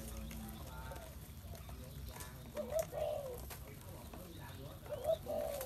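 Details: Spotted dove cooing twice, each phrase a soft, low, hollow two-part coo, set against steady background hiss and clicks.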